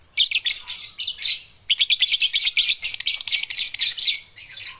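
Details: Baby and balibu lovebirds, young birds to stimulate lazy lovebirds into singing; loud continuous raspy chattering with brief breaks.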